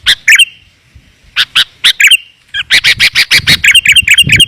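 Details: Sooty-headed bulbul lure call, used to draw wild bulbuls down: loud, clear, sharp chirps in quick bursts, some notes trailing into a thin steady whistle, then a rapid run of evenly spaced chirps.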